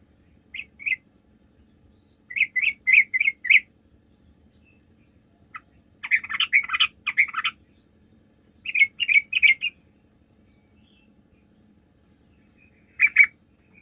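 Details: Lively Sooty-headed bulbul song, used as a lure to draw answers from other birds. Quick runs of four or five bubbly chirps come in several bursts separated by pauses, with one denser, chattering phrase in the middle.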